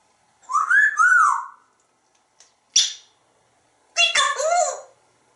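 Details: A pet African grey parrot in a Texas home whistles a smooth double rising-falling note, then gives a sharp click. It ends with a harmonic, voice-like mimicked word, all indoors with no other sounds.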